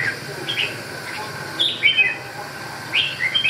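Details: Red-whiskered bulbul giving short warbled, rising-and-falling whistled phrases in three separate bursts about a second apart, over a steady low background hum.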